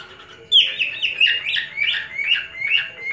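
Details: Pet male cockatiel whistling to tease a female, a sudden loud opening note followed by a rhythmic chain of rising, slurred whistles about every half second.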